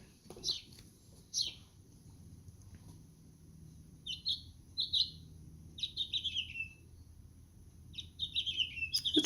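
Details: House finch (Haemorhous mexicanus), song.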